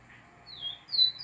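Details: A northeastern-type chestnut-bellied seed finch sings two clear, high whistled notes about half a second apart, the second slightly higher and brighter.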